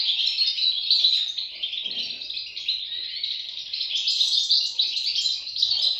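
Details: Goldfinch chicks give a steady stream of shrill, overlapping chirps, rapid and irregular, many notes a second. A soft low rustle comes around two seconds.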